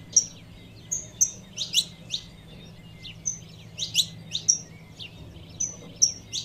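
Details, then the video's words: Saffron finch female calling to excite a male, giving thin whistled notes alternating with quick, high chirps, scattered irregularly through the recording, low steady hum behind. "Fêmea de Canário da Terra Chamando 🐦 Piado de Canario da terra Fêmea"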